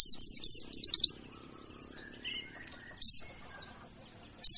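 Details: Rapid burst of high, wavering descending chirps from a mountain white-eye, then two isolated falling notes after a quiet gap; a lure to get birds that have gone silent singing again.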